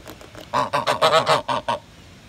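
A greylag goose gives a run of seven loud, nasal honks in about a second and a half, each harsh and slightly rising, after a few faint notes.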